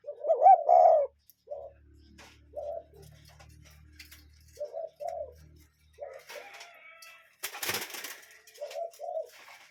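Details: Cuckoo calling in nature: a loud opening pair of hollow notes, then softer paired notes repeated every second or so, with one brief rushing noise burst and a faint low hum.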